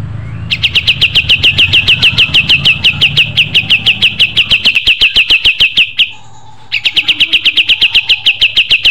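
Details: Natural pied triller song: a long trill of fast, high, clipped notes lasting about five seconds, a brief silence, then a fresh burst of identical rapid chips.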